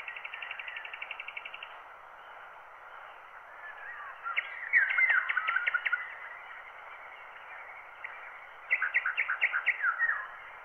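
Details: Wild bird song from a microphone recording transferred to a black wax cylinder blank at 90 rpm. It has a rapid metallic trill, then scattered chirps and two bursts of quick repeated notes. The sound is muffled and narrow, with steady surface hiss.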